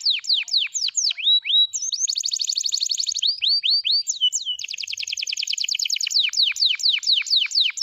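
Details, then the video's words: F2YS canary, long song: quick descending whistles alternating with dense high rolled trills, repeated about twice a second through the whole phrase without pause. "DURASI F2YS GINI || PASTI SYAHDU LAGUNYA"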